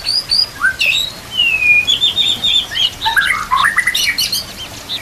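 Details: White-rumped shama singing, a recording meant for training young shamas: a long clear descending whistle followed by rapid chattering, varied notes, with a constant soft rushing water sound behind.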